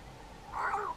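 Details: Cape crow calling from a treetop, bowing and puffing its throat as it calls; a single low, nasal, slightly rising-then-falling croak lasting under half a second, with little background sound.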